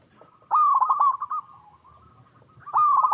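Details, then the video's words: Local zebra dove song played as a lure for other zebra doves; a loud burst of rapid stuttering coos that slide downward, a quieter sustained trill, then the loud burst starting again. "Perkutut Lokal Gacor RAJA PIKAT Paling AMPUH | SUARA Bikin Semua Burung Perkutut Langsung Nyaut"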